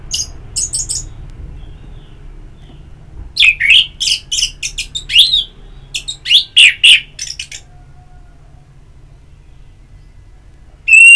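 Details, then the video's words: Orange-headed thrush singing for ngeplong therapy to stimulate song: faint high chirps first, then a burst of rapid, varied sharp whistled notes for about four seconds, silence, and a final loud note at the end. "Pagi Siang Sore Terapi Ngeplong Untuk ANIS MERAH Malam ya Tidur Merangsang untuk Bunyi"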